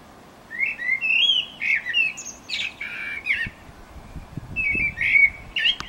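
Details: Eurasian blackbird in Utrecht on 9 June 2014, singing a long, liquid fluted phrase that breaks into harsh, squeaky twitters. A second whistled phrase follows after a short pause.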